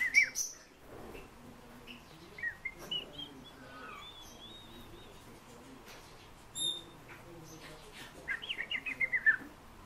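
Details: Fieldfare song heard as scattered squeaky notes and thin whistles with long gaps, a sharp high note near the start and a rapid run of descending squeaks at the end.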